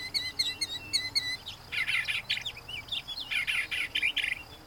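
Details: Male Northern Mockingbird reciting borrowed sounds of his neighbors, a song that tells nearby females he is an experienced mate. Quick high chirps repeat in tight groups, then harsh raspy buzzing phrases repeat several times.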